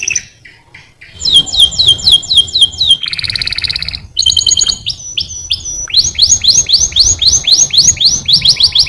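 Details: Canary song built from rapid repeated downward-sweeping whistled notes, a buzzy trilled phrase, then a fast rolling series of high chirps; loud and clear with a faint low background rumble.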